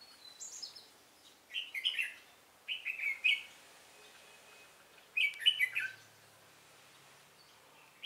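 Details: Red-whiskered bulbul decoy bird in a trapping setup, singing to fight; clusters of lively, slurred whistled phrases delivered in three bursts with pauses between, clear against a faint hiss.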